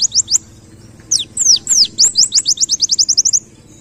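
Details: Masteran tutor recording of a white-eye in ngalas style with canary-like bursts: a few high whistles, several steep downward sweeps, then a fast even trill of short high notes that fades out.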